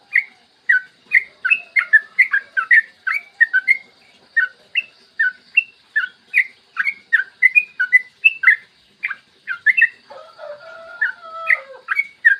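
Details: Yellow-vented bulbul delivering a long, rapid-fire morning song used to coax other bulbuls into singing: steady repeated bubbly chirps, joined late by lower sliding whistles from a second bird.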